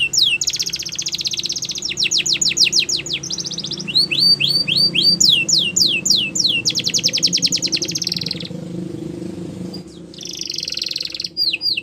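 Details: Canary song, loud and continuous: rapid buzzy rolls alternate with quick repeated upward-slurred whistles, about three and a half notes a second, with a brief pause near the end before the rolls resume; low hum in the background.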